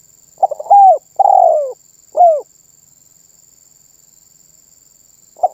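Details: A single spotted dove song phrase, delivered energetically and said to set off other birds. Quick stuttered notes lead into a long rolling descending coo and a short clean coo, then silence and the start of another phrase.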